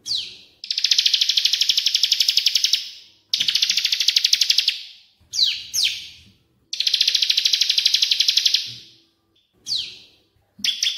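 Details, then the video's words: Masteran training recording of cililin versus ciblek: long, dense, buzzy high trills lasting about two seconds each, separated by short gaps and brief sharp descending whistles. "MASTERAN PALING JOSS !!! CILILIN VS CIBLEK AK47 FULL JERNIH"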